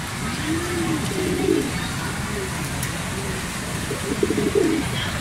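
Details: Rain-soaked racing pigeons home from a training flight from Gapan, Nueva Ecija, give two bouts of deep, burbling cooing, early and late, against steady rain noise and faint human voices.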